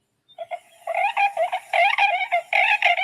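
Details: Tundra swan (Cygnus columbianus), once called the whistling swan, gives quick, high, hooting and yelping bursts in an overlapping chorus, several per second, wild and slightly whistled, less trumpet-like and higher, shorter than a trumpeter's.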